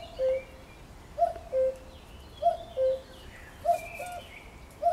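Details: Common cuckoo on 1 June 2020, calling cu-coo over and over, about every 1.2 seconds. A brief higher first note is followed by a held, lower second note, with faint chirps from other birds in the background.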